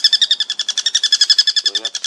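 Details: A four-toed woodpecker, a large bird, gives a fast, high, harsh rattle of about ten even notes per second, with a brief low human sound near the end.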